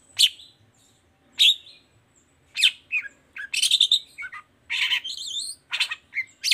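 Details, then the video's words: Long-tailed shrike singing actively in 'toet toet' style to coax other shrikes into song. Sharp single notes come about once a second, then a dense burst of harsh chattering and squeaky notes follows. "Suara Cendet Gacor Toet toet"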